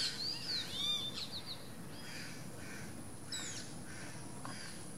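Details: Least grebe at the nest: a loud burst of whistled, wavering notes in the first second, then softer scattered chirps and down-slurred notes over continuous low rumbling noise.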